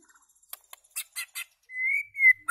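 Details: A white-rumped shama singing loud: a few dry clicking notes followed by a long, clear, level whistle and a brief rising note.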